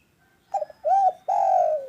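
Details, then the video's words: Spotted dove cooing loudly to prompt silent doves to sing: a brief broken note, then an arched coo, then a long sustained coo that slowly sinks in pitch, mellow and resonant over quiet background. "MASTERAN DERKUKU malas bunyi biar cepat GACOR"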